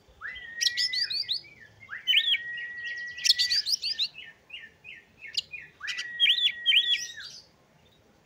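Oriental magpie-robin singing three phrases, each a long level whistle that breaks into quick, scratchy, chattering notes, with about two seconds between phrases.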